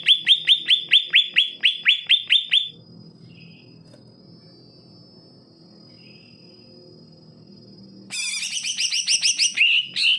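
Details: Greater green leafbird song used as a tutor for birds that are lazy to sing: a rapid series of bright, slurred notes, then a quiet gap, then a dense burst of high chattering notes.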